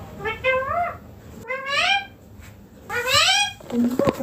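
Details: , rising harmonic calls from a pet green ringneck parrot perched on a neem tree, sounded three times in slightly separated bursts, each sliding upward and ending abruptly, with faint background hiss.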